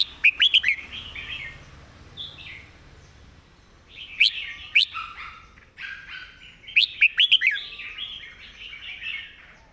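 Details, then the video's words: A Red-whiskered bulbul sings its master song in full, each word clear. Quick groups of sharp whistled notes mix with gurgling, slurred phrases in a lively, uneven flow. "จัดเต็ม"สำนวนดี ร้องชัดคำ เพลงแม่บท"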